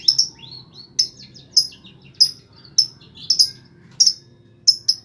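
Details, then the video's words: Lovebird song, played to prompt quiet lovebirds to start singing. Very high, thin chirps and short squeaky trills come in quick bursts, roughly one or two a second, over a faint low rumbling background. "PANCINGAN BURUNG LOVEBIRD MALAS' BUYI COBA PUTAR SUARA LOVEBIRD INI PASTI IKUT GACOR"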